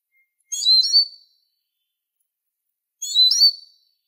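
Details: Two identical high, thin, squeaky notes from a Eurasian siskin (Spinus spinus), each with a short upward flick and a slurred fall, about two and a half seconds apart in silence.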